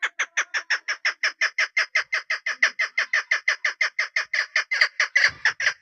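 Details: Female chukar partridge kept for hunting as a decoy, sounding a rapid, even series of coarse clucking notes, with a soft low knock near the end.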